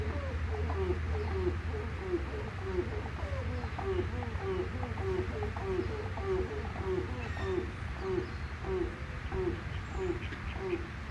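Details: Grey crowned crane, also called Africa crowned crane, calling in a long series of low, nasal honking notes repeated about every half second, over a steady low background hum.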